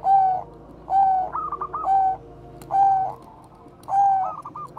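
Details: Zebra dove of the Bangkok line singing bekur koar-koar, a lure song for crossbred and local doves: steady whistled coo notes about once a second, with short bursts of quick staccato coos woven between them.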